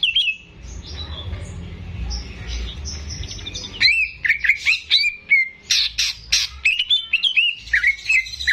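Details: Captive greater green leafbird belonging to the keeper, singing energetically as tutor material for young birds: a faint start under hum, then a lively string of sharp whistled and chirping notes rising and falling rapidly.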